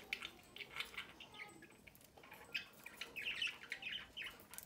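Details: Domestic budgerigar chick being fed by its parents at the nest entrance; soft, scratchy chattering chirps in irregular bursts, fainter at the start and busier toward the end.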